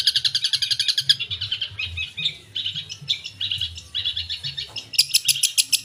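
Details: Long-tailed shrike, known locally as cendet, singing vigorously with varied fill phrases: a quick train of high rasping notes, then jumbled scratchy twitters, ending in a renewed burst of rapid sharp chatter.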